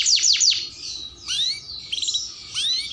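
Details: Canary giving a few sharp descending whistles, then rising slurred notes and short chattering bursts, loose and uneven in rhythm.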